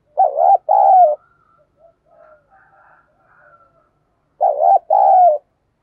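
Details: Decoy spotted dove cooing to quickly excite wild doves. It gives a low, warbling coo phrase of two throaty notes, goes quiet with faint soft murmurs for about three seconds, then repeats the same phrase.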